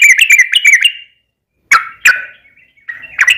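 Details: Yellow-vented bulbul singing a long, rapid song used as a lure to provoke other bulbuls into singing: a quick run of bright chirpy notes, a pause, then sharp separate calls and a final chirpy burst.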